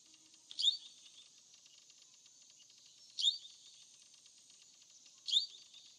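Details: Plum-headed parakeet recorded in the wild, calling to keep in contact with its flock. Three sharp, high, slightly downward-bending squeaks spaced about two to two and a half seconds apart, with a constant high-pitched hiss behind them.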